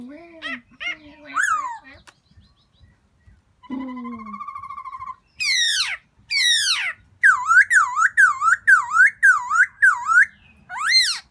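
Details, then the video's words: Springtime calling by a black-throated laughingthrush looking for a new mate: varied rising and falling whistles and sliding squeals, then a rapid string of loud up-and-down whistled notes repeated about every half second. "Black throated laughing thrush welcoming Springtime"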